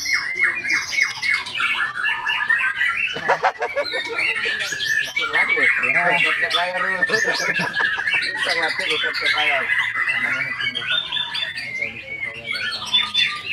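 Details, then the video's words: Continuous varied song of a white-rumped shama, mixing sharp whistled notes with rapid rattling trills and chattering phrases, delivered loud and almost without breaks; faint background voices. "MURAI BATU SAKTI"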